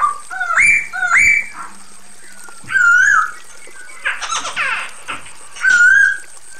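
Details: Female Chinese hwamei calling to a male, giving clear upslurred whistles and a wavering whistled phrase separated by pauses, with one brief harsh rasping burst in the middle.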